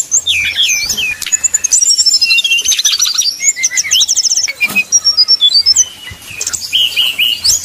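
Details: Fighting song of Sumatran red-crowned leafbirds at a song contest, a simulation for training: fast descending whistled runs, buzzy rattles and looping notes pour out continuously, over a faint low hum.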